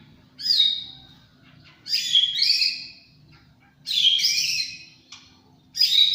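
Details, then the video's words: Champion white-rumped shama singing loud, rich phrases: four separate bursts of slurred, whistled and warbled notes, each about a second long, spaced roughly two seconds apart, over a steady low hum. "Burung muray batu juara"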